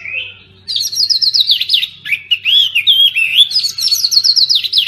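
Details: An oriental magpie-robin sings, for stirring silent birds after moult: a rising whistle, then quick bright chattering phrases with looping and slurred notes, continuous and loud throughout.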